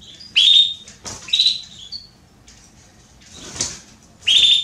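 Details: A female Belgian canary calls to solicit mating: sharp, bright chirps, the first loud near the start, then softer notes, a quiet pause and another strong chirp at the end.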